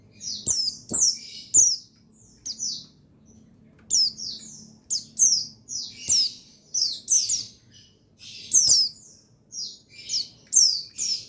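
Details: Stimulating song of a male buxtoni white-eye: rapid high twittering chirps slurring downward, grouped in lively bursts with short pauses, one quieter stretch near the start, low faint hum underneath.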